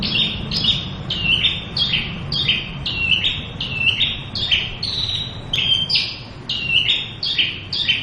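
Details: Local Javan bush lark in full song, pouring out a continuous chain of high downslurred chirps and buzzy notes that step between pitches in quick succession, with a couple of sharp clicks.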